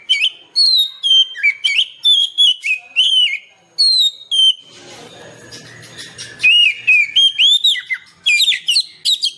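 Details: Oriental magpie-robin singing, played to encourage a caged bird to sing: a long run of loud whistles, some rising, some falling, broken by a few seconds of soft hiss before the song resumes.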